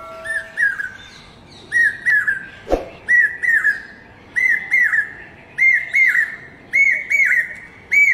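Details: Common hawk-cuckoo calling steadily: seven whistled three-note phrases, each note slurred upward, repeated about every second, the series climbing slightly in pitch as it goes, with a single sharp knock midway and faint background hiss.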